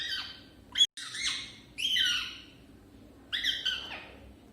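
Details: A parrot in its first attempts at talking gives three bursts of harsh, squawky, harmonic-rich calls, the first short and clipped, the later ones drawn-out and slightly wavering, separated by quiet pauses.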